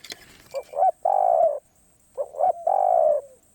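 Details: Spotted dove in karom pa roi style. A brief tap-like noise opens the clip, then two phrases follow, each made of short rising notes leading into a long, slightly falling coo.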